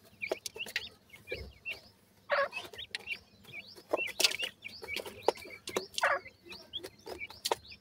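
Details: Young francolins (Sindhi teetar chicks) chirping in a group, short high hooked notes repeated irregularly, mixed with frequent clattering knocks and short bursts of hissing noise.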